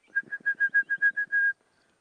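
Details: Orange-breasted bush-shrike hopping in a big jackalberry tree during a morning safari drive, giving a quick run of about nine clear, even whistled notes on one mid pitch, the last held longer, over a faint low rumble.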